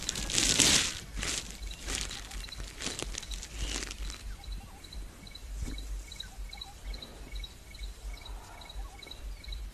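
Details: At sunrise on 2 December 2023 at Rietspruit Game Reserve in South Africa's Lowveld, as morning birds wake, a Stierling's Wren-Warbler repeats a high, clipped note about twice a second. Crunching and rustling fill the opening seconds.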